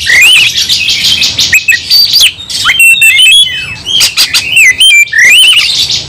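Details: White-rumped shama singing at full intensity while fighting: a dense, rapid stream of high whistles, trills, rising and falling slurs and harsh chatters, nearly continuous over six seconds with short breaks.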